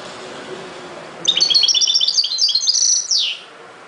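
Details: A single long run of rapid, tinkling, twittered notes from a European goldfinch, over two seconds of bright chattering ending in a short falling slur.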